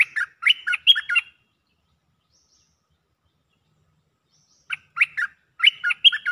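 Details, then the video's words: Cream-vented bulbul mating call, repeated bubbly chirping phrases of quick up-and-down notes, one burst at the start and another after a three-second pause, steady and loud. "เสียงนกดอกแตงEp.155 สับไม่หยุด!! เสียงเรียกคู่ เพลงดี ร้องวน Suara pikat merbah lekir gacor"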